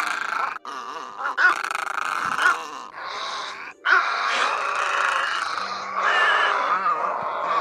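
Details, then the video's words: Egret calls, including great white egrets, played as a lure for night net-trapping during August migration: harsh, rasping croaks and grunts in a dense, overlapping chorus with only brief pauses. "Tiếng Bẫy Các Loại Cò Lớn Nhỏ"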